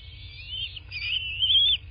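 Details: Bald eagle at a nest in southwest Florida, recorded by nest camera on 03/08/2024 around 11:00; one high, wavering whistled call lasting under two seconds, rising and falling, over a steady low rumble.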